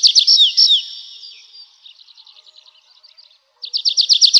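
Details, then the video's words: Night-time forest nightingale: a few loud, sharp notes with falling whistles, a fading run of soft rapid chatter, a brief pause, then a strong burst of fast repeated high notes. "How beautifully the nightingale sings"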